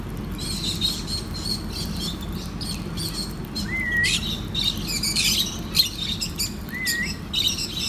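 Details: Lovebirds chirping at soft-food feeding time keep up a busy, high chattering of short chirps, with two sharp upward-sweeping squeaks standing out, over a steady low background rumble.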